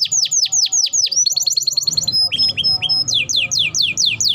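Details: Canary in vigorous song, a lure to get canaries singing quickly: repeated sweeping downward whistles, a fast buzzy trill, a few pure high notes, then more swooping phrases, with faint low hum behind.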